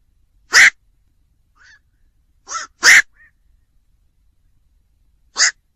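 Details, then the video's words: Black-crowned night heron repeating harsh, hoarse croaks at irregular intervals, some loud and some softer, with short faint squeaky notes between them. "tiếng vac"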